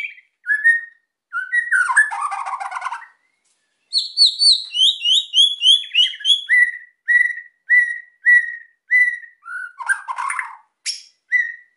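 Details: White-rumped shama song to draw quiet birds into singing: a harsh chattering burst, then a series of descending whistled notes, followed by repeated clear upslurred whistles about every half second.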